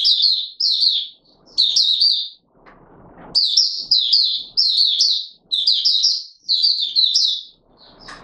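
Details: Courting Oriental white-eye, locally Mata Puteh Raja, recorded 25 January 2022, pouring out quick, squeaky warbled phrases in repeated bursts, broken by a gap with soft scratching and rustle.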